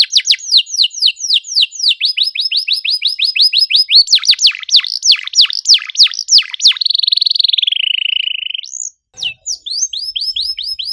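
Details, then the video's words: Canary 'cuit cuit' song played to prompt non-singing canaries, delivered close and fast: long series of sharp descending chirps, then a sustained buzzy note gliding lower, an upward whistle, and more rapid chirps. "PANCINGAN KENARI MACET GACOR NEMBAK RAPAT CUIT CUIT"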